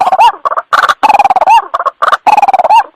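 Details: Very loud, distorted white-breasted waterhen lure call for trapping. Grating, nasal bursts alternate with drawn-out, hoarse notes that end in a quick upward flick, and the pattern repeats about every second.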